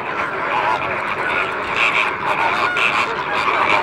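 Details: A crowd of free-flying greater flamingos of Italian, Spanish and Camargue origin at the Sigean African reserve, giving an unbroken wall of nasal, honking calls from many birds together.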